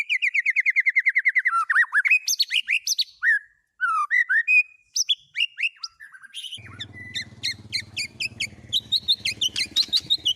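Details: A white-rumped shama sings with borrowed speed cililin, canary and lovebird phrases. It opens with a rapid run of buzzy notes, then moves into varied whistled slurs and chirps with a short pause. Scattered chirps continue over a low hum.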